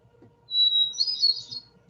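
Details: Hermit thrush singing in a Vermont forest: one long, clear, solitary flute-like opening note, then a quick, higher, fluttering cascade of ethereal notes, over a faint low hum.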